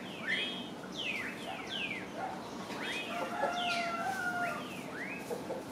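White-bellied chachalacas call in an overlapping chorus of harsh, arched and falling notes, several birds at once, over a steady background hiss.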